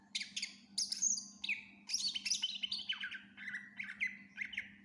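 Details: Greater green leafbird singing vigorously with varied fill-in phrases: high squeaky bursts and shrill whistles slide down into a run of repeated falling notes, each under half a second, with a faint steady hum underneath.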